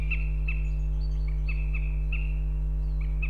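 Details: Female northern goshawk at Riga, Latvia, in February, calling to her mate with clipped, high, slightly piercing notes spaced roughly every third of a second, over a steady deep background hum.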